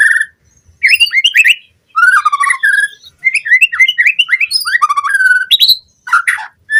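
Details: Lure song of a white-rumped shama for captive birds, full of varied fill phrases: rapid sequences of clear rising whistles, downslurred notes and harsh chatters, packed closely across several seconds with short gaps.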